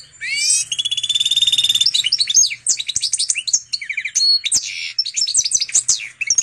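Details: Canary and Portuguese goldfinch hybrid singing energetically: a rising sweep into a long steady rolling trill, then jumbled twittering, a short dry rattle and bright whistled flourishes continuing to the end.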